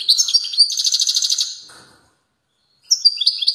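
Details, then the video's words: European goldfinch giving a strong song, recorded 29 September 2022: high, rapid twittering with buzzy trilled bursts for about a second and a half, a brief silence, then the bright twitter resumes. "تغريد قوي لطائر الموقنين"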